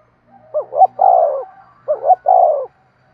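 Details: Spotted dove giving 'thúc sung' cooing to stimulate and train lure birds: two soft phrases about 1.5 seconds apart, each a quick double note and a drawn-out falling coo, over a faint low hum.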